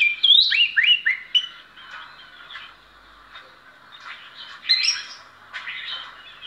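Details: Oriental magpie-robin, described as an ordinary bird singing exceptionally well in a performance, gives a varied run of clear whistled phrases with sweeping slurred notes, then quieter scratchy twitters and a final burst of bright whistles.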